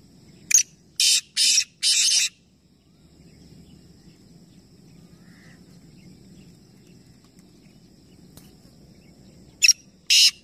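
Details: Black francolins, three calling together in a competition near Nawabshah, Pakistan: a grating phrase of a sharp note and three buzzy bursts, a long quiet stretch with low hum, then the harsh call starting again.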